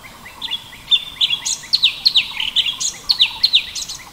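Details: A cucak cungkok, the orange-bellied leafbird, sings a full tembakan: bright, piercing downslurred whistles and high chips pour out quickly and continuously, with a faint hiss underneath.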